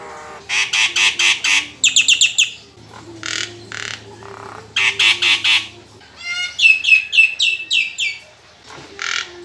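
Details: Nias hill myna, a kept songbird, pouring out loud harsh squawking bursts in rapid runs, interspersed with high whistled notes and a bright rising whistle sequence, with faint low hum beneath.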